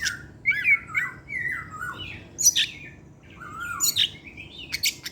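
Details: Evening singing of an Oriental magpie-robin (kacer), pouring out varied material: slurred whistled notes that bend up and down, broken by rasping chattering bursts.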